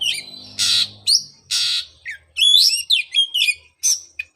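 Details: Oriental magpie-robin song used as therapy for a moulted bird gone quiet: harsh broadband rasping notes alternating with quick whistled twitters and squeaks, loud and close.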